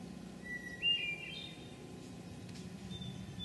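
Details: Hermit Thrush at Memorial Forest in Sudbury, Massachusetts, on 19 June 2011, gives a faint flute-like phrase: a steady opening note, then higher rising notes, with a softer note near the end, over steady background hiss.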